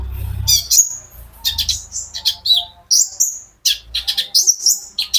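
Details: Energetic singing from a kept olive-backed sunbird meant to prompt other birds to join in: high chirps, buzzy notes and thin whistles, some dropping in pitch, over a low rumbling background noise.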